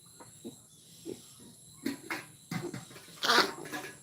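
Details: A common myna imitates human speech in the Bodo language with short, throaty, word-like syllables, ending in a louder harsh, wheezy burst, in a quiet indoor room.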